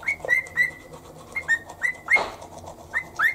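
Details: Pet cockatiel singing in the morning to the rhythm of toothbrushing while perched on a shoulder: short whistled notes near one pitch, each with a quick upward slide, repeated in loose bursts with soft rustling between.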